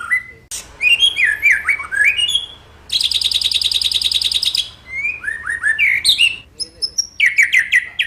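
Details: White-rumped shama song for prompting other shamas to sing: sweeping downward whistles, a dense high rapid trill, then more slurred fluty notes.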